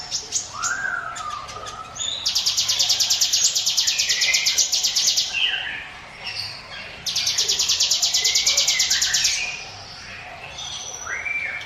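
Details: Prinia singing as a lure for other birds: two long, fast, pulsed buzzing trills, high and steady, framed by short lower whistled notes.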